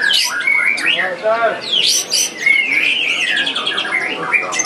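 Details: White-rumped shama singing at the Piala Candi Prambanan 2 bird-singing contest: rich, fast varied phrases of whistles, sharp upslurred notes and buzzy chatter, with brief pauses and busy competing birdsong behind.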